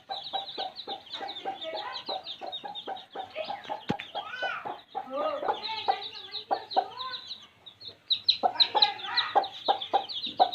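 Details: Baby chicks in a village setting, a flock peeping continuously with high thin cheeps, mixed with lower rapid clucking notes. Louder overlapping bursts come near the end.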